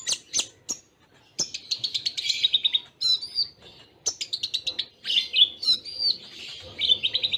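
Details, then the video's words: Konin (Kolibri Ninja) song, a tutor recording with Cililin-style fill-in and tight pauses, bird kept for singing contests; rapid high, thin chirps and trills in bursts of fast repeated notes, separated by short gaps, with sharp clicks. "Masteran Konin Full Tembaan Cililin Jeda Rapat"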